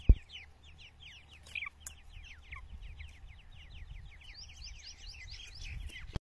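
Grey francolin chicks give a continuous chorus of thin, high, downslurred peeps, several overlapping each second, over a steady low hum and handling noise.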